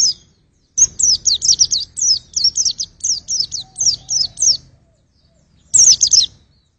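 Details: Long rapid run of high, sharp chirping notes from a white-eye used to test vocals, about a dozen quick down-slurs, then silence and one final brief burst.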